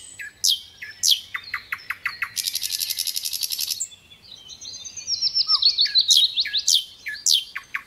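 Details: Sikatan londo, the little pied flycatcher, in continuous gacor song: quick sharp chips, then a dense buzzy rattle of about one and a half seconds, followed by a high twittering sequence and more rapid chips.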